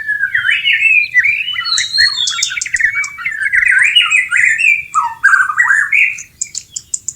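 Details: Breeding white-rumped shama singing in the wild, wanting to mate: a continuous rapid jumble of clear whistles, buzzy warbles and high sharp ticks, closing with several spaced emphatic notes.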